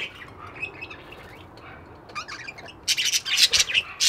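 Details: Budgerigars kept as pets: soft, faint twittering at first, then a run of loud, rapid, scratchy chirps over the final second and a half.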